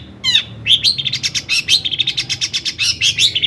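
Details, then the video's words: Long-tailed shrike song, a lure to rouse other shrikes: after one harsh downslurred note comes a rapid, continuous chattering jumble of high notes, about six per second, varying in pitch. "kicau CENDET GACOR paling DI CARI cocok UNTUK PANCINGAN CENDET AGAR NAIK EMOSI"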